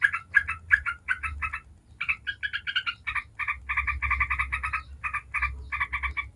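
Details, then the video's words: Lure recording of a yellow-vented bulbul, meant to prompt other bulbuls to sing back. Quick chattering bursts of bubbly notes come in rapid series, break briefly, then resume in a steady run with a low background hum. "Trucuk ngebren bikin ribut trucuk manapun dijamin langsung nyaut ribut"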